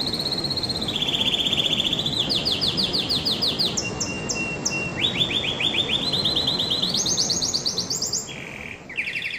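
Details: Canary song made of rolled trills that step between pitch levels: a mid-range buzzy roll, then a rapid higher chopped trill, a long pure whistle, and quick ascending pulses, set against constant low hiss.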